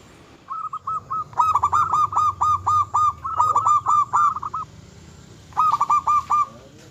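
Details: Zebra dove of the local strain in full vigorous song, said to provoke and arouse rival birds: four long runs of quick, evenly spaced, mellow cooing notes, each run several notes long, broken by short pauses.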